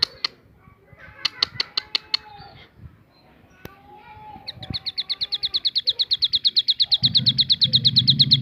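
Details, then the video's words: Javan sunbird singing its varied "tembakan" (shooting) style: after scattered clicks, taps and faint voices, a rapid run of high, sharp ticking notes, about six per second, builds steadily louder, with a low rumble late on. "ciblek gunung bunyi fariasi tembakan"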